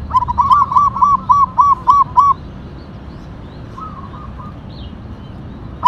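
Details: A local zebra dove (perkutut) with tumbak cucukan katuranggan sings a long, steady string of about nine evenly spaced arched coos, followed by a faint distant reply and a brief high chirp.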